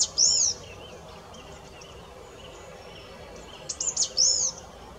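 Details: Song thrush song with long gaps: a loud arched whistle opens the clip, faint chips follow, then a rapid cluster of sharp notes and another arched whistle like the first.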